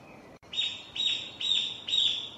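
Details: Japanese bush warbler repeating its song on 6 May 2017, recorded with a Panasonic DC-FZ85 camera: four short, bright, high notes, each sliding downward, spaced about half a second apart after a brief pause.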